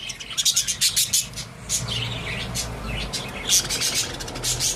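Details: Pet budgerigars chattering loudly: dense runs of bright, high chirps and tweets tumbling over each other in quick uneven bursts, with a faint low rumble underneath.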